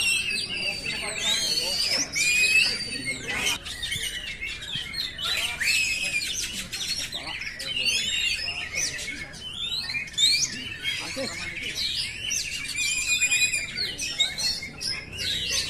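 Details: Long stretch of oriental magpie-robin song meant for training caged birds. Nonstop jumble of sweet whistles, chattering trills, clicks and sharp rising notes, with layered phrases overlapping and only short dips in loudness.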